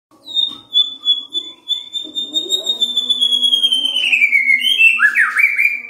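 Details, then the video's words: White-rumped shama song used to stimulate other shamas: a long pure whistle held steady, then sliding downward, ending in quick twisting notes, over a faint low background hum. "SIULAN MURAI BATU INI SANGAT EFEKTIF SEBAGAI PANCINGAN MURAI BIAR GACOR"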